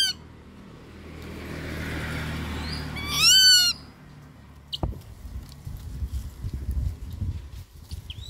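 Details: Rufous-winged buzzard giving a single loud, harsh, downward-curving call midway, set against steady low wind-like rumble and scattered clicks and knocks.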